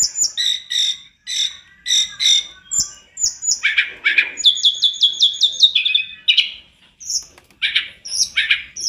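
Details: Tledekan gunung in full song, recorded as a master track to train other birds. Rapid high chirps, a quick series of sharp repeated notes, and dense chattering phrases with short gaps.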